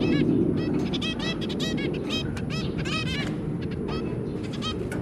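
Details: Three baby zebra finches and their parents, pets recorded on 23 January 2022, give a busy chorus of short, trumpet-like nasal beeps, rapid and overlapping throughout, with a steady low hum beneath.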